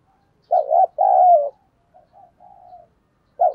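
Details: Spotted dove decoy cooing to draw wild birds: a double quavering coo and a long sliding coo, followed by soft low coos, and a new phrase starting at the end.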